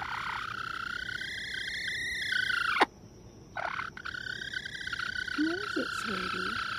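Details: Light Brahma bantam chicken giving its aerial predator warning: a sustained, harsh, high scream held for nearly three seconds, then soft low chirps and a woman's soothing speech.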